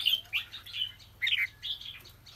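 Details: Caged red-whiskered bulbul trapped for fighting, from Kim Bôi, Hòa Bình, Vietnam; short bursts of bright warbled, chirping notes in three quick phrases with pauses between, low hum underneath.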